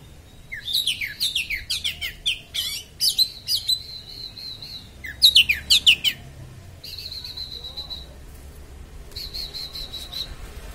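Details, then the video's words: Oriental magpie-robin singing the sharp 'konslet' style to provoke rivals: quick series of high sweeping and chattering notes, then long, steady, piercing whistled tones held for about a second each, separated by short silences. "kacer konslet suara tajam"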